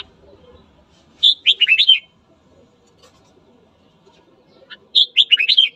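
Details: Morning song of a red-whiskered bulbul, used to incite rival birds to fight: two matching phrases of quick, tumbling fluty notes about three and a half seconds apart, with faint low background noise.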